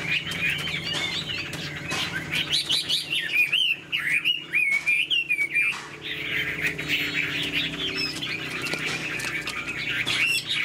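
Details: A caged hwamei, tail fanned and wings flicking, pours out looping whistled phrases. There is a brief lull near four seconds, then the song resumes as a denser, scratchier warble over faint background hum.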